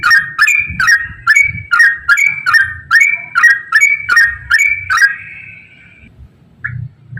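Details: Yellow-vented bulbul singing in the rapid ropel style, used as a lure to get other bulbuls singing: about a dozen quick whistled two-part notes that jump upward, repeated over five seconds, then one short whistle after a pause, with a faint low hum.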